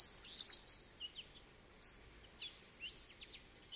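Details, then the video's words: A goldfinch gives a quick, tinkling twitter of high, liquid notes and short slurred chirps, about two per second, over faint background noise. "Goldfinch Bird Sounds"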